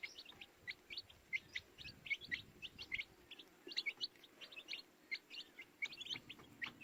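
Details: Chorus of baby chickens giving sharp, high peeps, each short and slightly downslurred, coming in quick clusters from several chicks with brief gaps, light rustling underneath.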